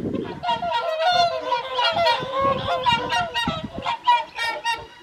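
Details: At the evening swan feed on the Folly Pond at WWT Caerlaverock in January 2023, a flock of whooper swans gives loud, nasal, trumpeting honks that overlap almost constantly, with several birds calling at once at slightly different pitches.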